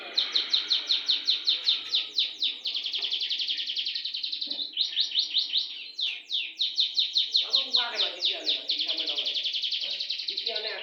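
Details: Canary singing nonstop in long rolls. Fast, sharply downslurred notes chain into trills for about eleven seconds with brief breaks, alongside occasional soft clicks and low rustling.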